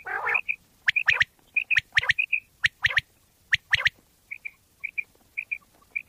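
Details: Common quail lure sound from Pakistan. A grating buzz at the start, then sharp clicks and high paired whistles, closing with a steady run of soft double pips.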